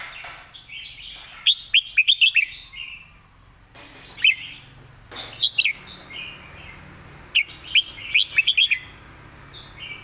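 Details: Red-whiskered bulbul master song used to tutor birds: sharp, rapid trilled note runs alternating with softer warbled passages and a brief pause near the middle.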